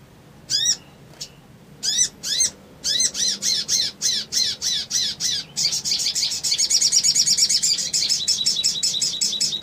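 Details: Crimson sunbird in the ngriwik ngleper trotol style, used as a lure to stir rivals: spaced harsh chipping notes that quicken steadily into a dense, rapid trill, growing louder toward the end.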